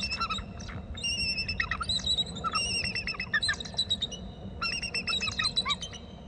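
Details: Bald eagle at its nest territory on Hornby Island, flying off inland with lots of calling and a second eagle present; a run of high, thin, rapid chittering notes in repeated bursts over steady low background rumble.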